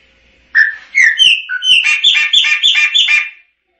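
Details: Chopi blackbird singing a three-second phrase that begins with clear rising and falling whistles and speeds into a rhythmic string of rich, chattering notes.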